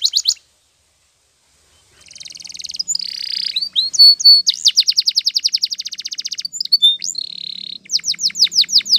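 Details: Canary, Spanish Timbrado training song: after a short opening note and a pause, long rapid rattling trills, metallic buzzy rolls and sweeping downslurred notes follow one another in fast, varied phrases.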